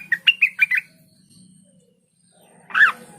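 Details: Cucak wilis (blue-winged leafbird) giving a quick run of five clipped, squawky notes, then a silence and one louder harsh call.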